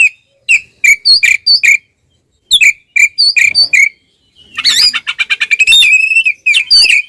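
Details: Oriental magpie-robin in a loud fighting song used to provoke rival males, called ngeplong style: clear whistled notes near two to four kilohertz in short bursts, then a fast harsh rattling trill with overtones.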